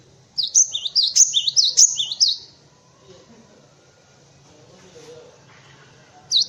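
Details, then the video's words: Cinereous tit singing a tutor song for white-eyes and other birds: a quick string of bright, high see-saw phrases lasting about two seconds, then near silence broken by a single final note. "Suara Burung Gelatik Batu untuk masteran"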